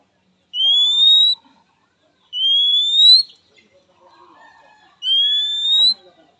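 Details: Oriental magpie-robin calling to challenge a rival, said to prompt fast responses from both sexes; three long upslurred whistles about two seconds apart, with a quiet low murmur between the second and third.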